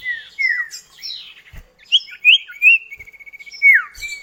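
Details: Common iora duet used as a lure for kept birds, described as sharp and clear. Descending slurred whistles give way to rising notes and a rapid, even stuttering trill, then a strong falling whistle, with faint low knocks.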